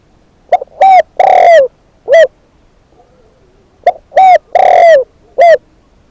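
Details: Spotted dove kept as a decoy bird, giving two similar phrases of mellow coos. Each phrase has a short note, a rounded coo, a longer drawn-out falling coo and a final clipped note, with a brief pause between phrases.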